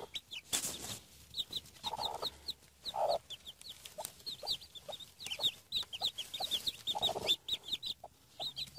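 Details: A hen's brood of newly hatched Denizli chicks in Rize, seven of them out of the eggs, keeps up dense, overlapping high peeps almost without pause. Occasional deeper clucks come underneath.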